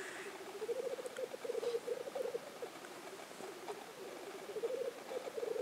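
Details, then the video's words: Soft, more distant-sounding rookooing of black grouse at the Innvik lek in 2014. Pulsing low bubbling rises and falls in waves across the whole stretch. "Orreleik i Innvik 2014"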